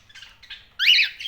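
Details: Cockatiel giving two quiet scratchy notes followed by a sudden loud, rasping screech that holds for nearly half a second.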